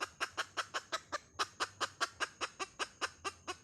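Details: Hen giving a fast series of short, sharp, broadband clucks, about two and a half per second, fairly even in loudness, with a faint steady high tone in the background.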